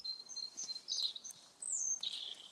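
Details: A European robin heard on a walk at the site of the 1926 Naworth rail disaster sings thin, high, wavering phrases that shift quickly in pitch, with sweet tinkling notes and a bright descending slide near the end.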